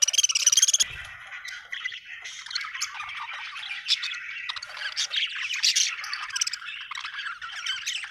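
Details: Budgerigars, described as happy, chirping: dense warbling chatter of buzzy squawks and quick twitters that runs without a break, with a loud harsh burst at the start.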